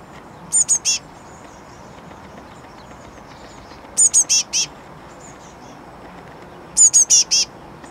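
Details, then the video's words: Fledgling great tit on a balcony on May 29th, waiting to be fed: clusters of three or four high, sharp begging notes, repeated roughly every three seconds against a quiet background. "Great tit chick on the balcony"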